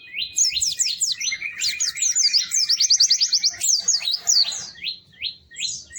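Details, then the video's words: Energetic white-eye song packed with rapid, high downslurred chirps and short trills, sustained almost without pause, with a second thinner voice underneath. "Kicau Burung PLECI GACOR MERDU"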